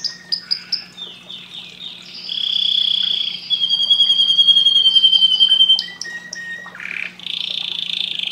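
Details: Canary in vigorous song, mixing clear sustained whistles, sweeping slurs and a fast pure trill, with short chirps between phrases; a steady low hum runs underneath.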